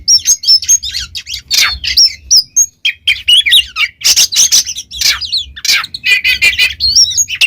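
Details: Kacer, the oriental magpie-robin, pouring out continuous varied song for training caged birds: thin high whistles, dry rasping bursts and quick chips in dense, restless phrases with a faint low hum beneath.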